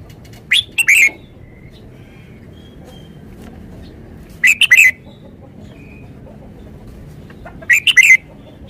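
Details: Caged decoy red-whiskered bulbul from Thailand repeating a short, lively whistled phrase of three or four notes about every three and a half seconds, three phrases in all, over a quiet, steady background.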